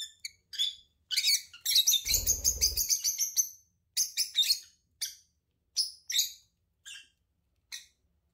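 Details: A couple of lovebirds bursts into a fast run of shrill chirps, then slows to single sharp notes every second or so; a low rumbling noise sits under the busiest part.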